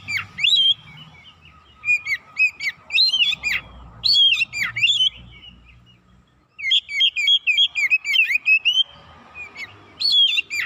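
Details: Oriental magpie-robin lure song aimed at provoking other birds to sing: energetic bursts of varied whistles and steep downward slurs, a brief lull, then a long fast run of chirping notes.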